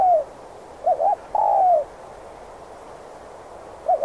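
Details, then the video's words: Spotted dove lure call for trapping wild doves: a falling coo ending, then a wavering two-part note and a long coo that dips at the end, followed by a pause and the start of another phrase. "Chim cu gáy kích bổi nhanh nổi/cu gáy Thúc Gù kích bổi ức chế mau gáy/dùng bẫy cu rừng hiệu quả"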